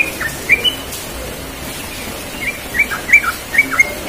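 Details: Yellow-vented bulbul in the morning giving quick, bubbly chirps in short bursts, clustered near the start and again in the last second and a half, over soft background hiss.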